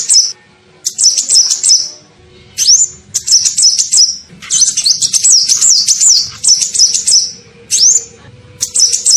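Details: Kolibri ninja sunbird lure call for attracting birds: series of high, sibilant twittering phrases, some ending in a rising whistle, repeated steadily with short pauses.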